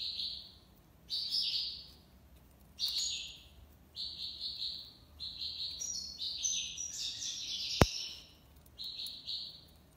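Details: European goldfinch in Algiers, Algeria, delivering tiwawati song: a run of buzzy, chattering phrases each lasting about a second, separated by brief gaps, with a loud click near the end.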